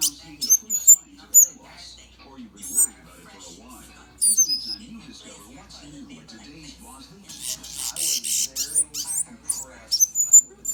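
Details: A pet male mountain canary seedeater (Sporophila falcirostris), kept indoors during the winter months, sings short bursts of high, sweet twittering notes in a few phrases over a steady background of soft human voices.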